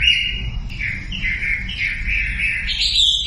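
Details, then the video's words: Sumatran leafbird singing, a lure recording meant to set silent birds singing: a long steady whistled note, then a chain of slurred warbling phrases that rise to a bright high finish, over low background hum. "SUARA MASTERAN WAMBI UNTUK YANG DIAM IKUT KICAU"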